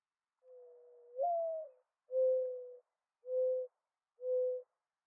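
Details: Mourning dove giving its cooing call: a long low coo that swells and lifts, then three shorter steady coos, all on one soft hollow pitch, with nothing else heard.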